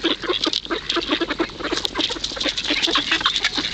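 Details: Hungry ducks at the Kirchsee in Preetz, Germany, crowding in to be fed. They give a dense, busy chorus of short, rapid, nasal quacking notes that overlap continuously throughout.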